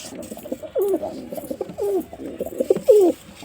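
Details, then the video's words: Male white pigeon cooing: three low, bending coos, each dipping then rising, spaced about a second apart, over a faint hum of indoor room noise. "Pigeon Sound Effect (Ultra High Quality) || Male Pigeon Super Performance || white pigeon"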